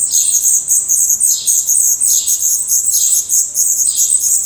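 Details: Black redstart young in a nest in Portugal, eyes open and growing adult plumage, produce loud, continuous, very high hissing begging with pulsing swells about every second.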